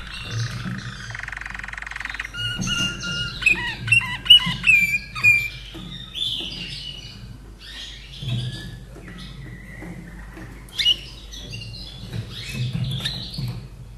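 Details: A captive common nightingale from 2011, kept in Austria, delivers a varied song of rich whistles, quick chirped figures and downward-sliding notes in bursts, with quiet gaps between phrases and a faint low hum throughout.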